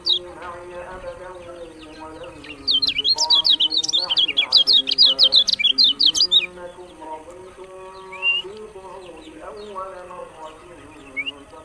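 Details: Lemon-bellied white-eye (kecial kuning) from Lombok singing a fast, dense burst of high twittering, zigzagging notes lasting about four seconds, followed by a few isolated chirps, over steady lower droning tones from other sounds.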